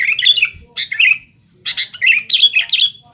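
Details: Brief rival-challenging outburst from a Sooty-headed bulbul: two loud chattering phrases of squawky, warbled notes separated by a short silence.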